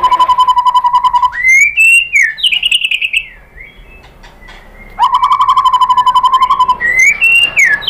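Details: White-rumped shama song used to provoke other shamas: rapid even trill of low repeated notes, swooping whistled phrases, a pause, then the trill again followed by a rising and falling whistle.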